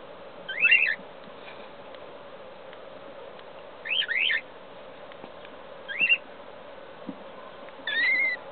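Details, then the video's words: Cockatiel chicks in the nest; short chirping calls in brief bursts every one to three seconds, with a steady low hum behind. "CRIAS DE NINFAS EN EL NIDO...BABY COCKTAILS"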